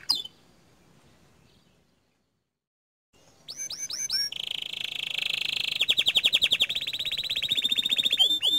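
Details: A canary in gacor dor song breaks a three-second silence with quick swooping whistles, then a sustained high buzzy trill that shifts into a fast, evenly pulsed roll.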